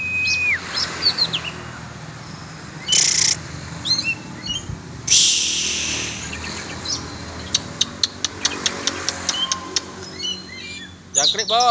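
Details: Oriental magpie-robin let out to fly freely for sport: a clear steady whistle opens, then scattered high chirps and short rising notes between loud broadband noise bursts.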